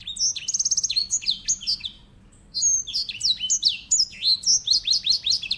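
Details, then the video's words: Grey singing finch (edel sanger), a small finch kept as a loud singer and a tutor for canaries, gives high twittering song: rapid trills and sharp down-slurred chirps, a brief pause, then more chirping phrases. "EDEL SANGER SI BURUNG BERSUARA LANTANG"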